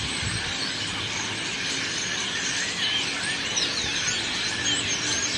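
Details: A common starling at a pond chatters in a dense, scratchy jumble, with thin sliding whistles and squeaks near the end, over a steady rushing hiss of water.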